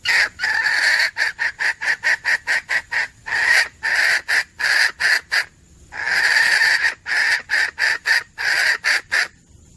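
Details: Female red junglefowl cackling for use in hunting: a long, insistent series of some thirty rapid hoarse clucks, with a few drawn-out raspy notes and brief pauses between bursts.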